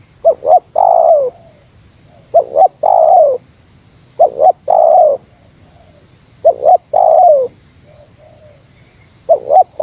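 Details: Meratus-style spotted dove call aimed at a rival. Repeated phrases of two quick notes and a long falling coo come roughly every two and a half seconds, four times over, with faint soft coos between.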